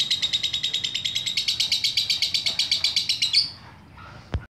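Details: Lovebird repeating quick, high, evenly paced chirps that stop suddenly, followed by near silence and a single sharp click.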